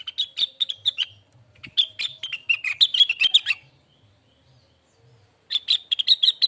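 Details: Lesser green leafbird song used as a training recording: brisk chirping phrases, a long jumbled burst of rising and falling notes, a pause of about two seconds, then rapid chirps resume; faint low hum underneath.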